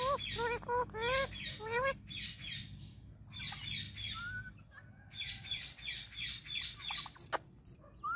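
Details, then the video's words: Indian ringneck parakeet in constant chatter: rapid bursts of harmonic, wavering syllables early on, giving way to softer raspy babble, a short clear whistle, and a couple of sharp clicks near the end. "My Non Stop Talking Ringneck Parrot"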